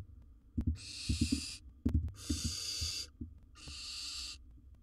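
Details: In a monitored nest box, a wild barn owl swallowing large prey produces three sustained rasping hisses, with clusters of knocks and taps from movement before and between them.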